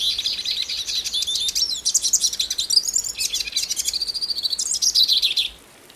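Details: Hooded siskin from Brazil delivering a rapid, bright twittering song of high chirps, buzzy trills and slurred whistles, which stops abruptly near the end, leaving quiet.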